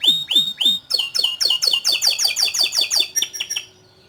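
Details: Canary song phrase: three slurred falling notes, then a rapid, ringing run of sharp chirps about four per second that stops abruptly, leaving quiet.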